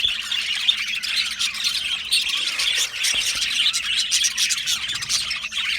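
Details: Australian budgerigar colony kept in an aviary, a continuous softer mass of overlapping chirps and warbled squeaks, with a faint low hum beneath.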